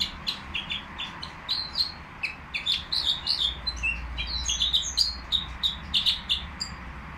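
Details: In the Qriaa bird market, a caged nightingale sings a lively, unbroken sequence of sharp clicks, whistled slurs and rapid twittering notes, steady low hum in the background.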